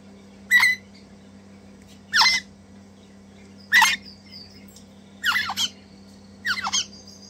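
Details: Two crimson rosella chicks being hand-fed, eating messily and eagerly, give five harsh, raspy squawks, one about every second and a half, over a low steady electrical hum.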